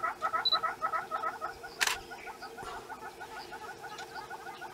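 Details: A Southern red-billed hornbill in Kruger National Park gives its piping call during its jig-like display: a fast run of hollow, clucking notes, about three a second, with one camera shutter click midway.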